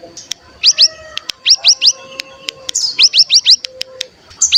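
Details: Bar-winged prinia lure sound: small groups of two to four sharp, rising high chirps separated by pauses, with clicks and faint whistled tones between. A constant thin high whine lies in the background.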